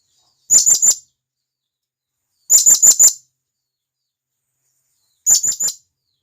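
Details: Wild blue-crowned hanging parrot calling to companions, recorded in the forest: three bursts of very high, thin, sharp notes, each a rapid run of three or four shrill chips, with quiet pauses between and no other sounds.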